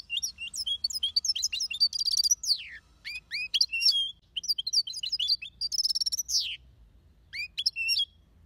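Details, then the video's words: Aviary European goldfinch in lively song: rapid tinkling chirps and twitters strung into long phrases, two sharp buzzy downsweeping trills, then brief gaps before more clipped notes; steady low hum beneath. "Goldfinch song / Birds chirping"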